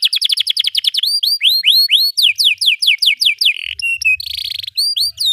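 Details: Canary song aimed at stalled or young canaries: a rapid train of short upward chirps, then loud descending whistled slurs repeated steadily, a brief steady whistle and a buzzy trill closing with rising notes.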